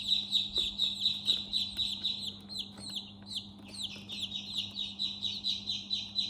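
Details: Chicks chirp nonstop inside a chick house: loud, high, falling peeps in quick succession, a little more than two per second, several birds overlapping, with a low electrical hum.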